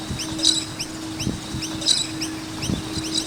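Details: Around a skate park, a group of noisy miners chirps rapidly, with short high upward-slurred notes overlapping one another. A faint steady hum and occasional low thumps sit beneath the birds.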